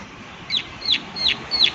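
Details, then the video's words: Four crisp, bright 'klik' notes from a prinia, each a quick downward-sweeping tick, spaced about a third of a second apart over quiet background noise. "Prenjak Klik Klik Gacor Suara Alam Dan Isian || Prenjak Klik Klik Pasti Nyaut"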